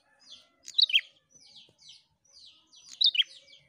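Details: A lively prinia (prenjak), played to stimulate other prinias to sing, gives short, sharp, high chirping phrases with rapid descending notes roughly every two seconds, with quieter chips between.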